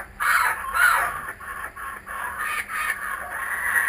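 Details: Kookaburras that have returned to the owner's home, cackling in harsh, rapid bursts that rise and fall in a rolling, laugh-like chorus over a faint high hiss.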